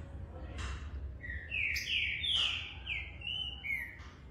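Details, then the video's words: Young Green-winged Saltator singing fast but not yet linking its songs, recorded 30 September: a run of clear, slurred whistles rising and falling, about five notes in three seconds, with a few sharp clicks and low background hum. "trinca ferro filhote"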